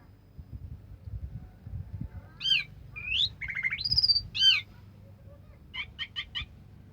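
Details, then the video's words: Orange-headed thrush singing 'sampai teler': soft low rumbling background, then clear ringing whistles, a buzzy descending run and a long rising whistle, ending with a few quick high notes. "suara kicauan burung anis merah sampai teler"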